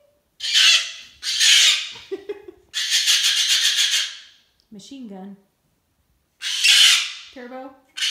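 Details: Cockatoo kept as a pet, screaming in a hormonal temper tantrum: repeated harsh, broadband screeches in bursts of one to one and a half seconds, broken by short, lower, squeaky notes.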